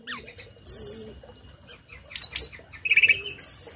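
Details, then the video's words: A tame starling sings a varied learned song, used to tutor other birds. Phrases include a high rapid trill, quick upward chips, a buzzy warble and a closing high trill, with quiet pauses between. "Burung Jalak Jinak Isian Nembak || Cocok untuk masteran burung lain langsung nyaut"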